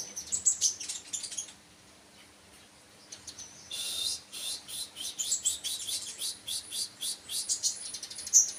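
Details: Sunbird giving bursts of high, sharp tweets separated by short pauses, then a faster rhythmic run of thin chirps and a bright squeaky note near the end.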